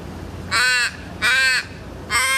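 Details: In Melbourne, an Australian raven gives three harsh, drawn-out caws about a second apart, each ending in a slightly falling, wailing tail, over faint background noise.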